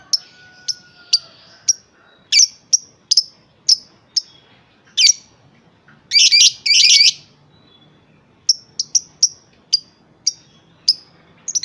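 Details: Lovebird, a juvenile of about three and a half months, called 'stereo': evenly spaced sharp high chirps roughly every half second, broken by a dense buzzy chattering burst in the middle, then more single chirps.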